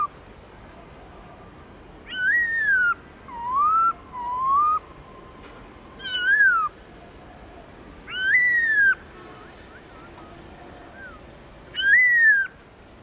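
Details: A black-throated laughingthrush gives its forest-style song, giọng rừng: six mellow whistled phrases over thirteen seconds, some arching then falling, others rising in paired notes, spaced by short pauses against faint hiss.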